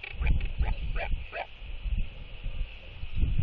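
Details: Northern royal albatross pair greeting at the nest with skycalls reaffirming their bond as one returns to incubate the egg, 16 December 2023; four quick harsh, harmonic bursts in the first second and a half over heavy wind rumble.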